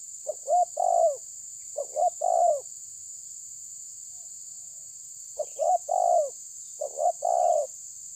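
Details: Rival-challenging spotted dove repeating its coo phrase four times, short notes rising into a longer descending coo, spaced by a couple of seconds, over a steady shrill hiss.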